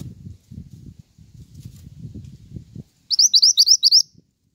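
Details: Pied triller, used as training and luring audio for songbirds: a low, rumbling background noise fades out, followed by a quick series of bright, upslurred high chirps repeated about six times.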